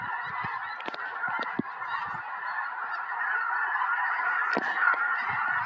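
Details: Hundreds of snow geese circling and landing in a field beside a house in Tennessee on January 21, 2026, days before a major snowstorm; a dense, unbroken chorus of overlapping nasal honks and yelps, with a few sharp clicks.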